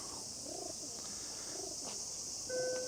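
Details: Pigeon at a temple or shrine in Kamakura, Japan, in summer, giving soft, low cooing phrases about once a second over a steady hiss of cicadas.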